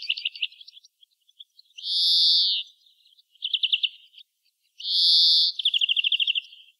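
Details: European greenfinch singing: soft twittering notes, then a drawn-out buzzy wheeze, a quick rattling trill, a second long wheeze and a fast trill right after it, with quiet pauses between.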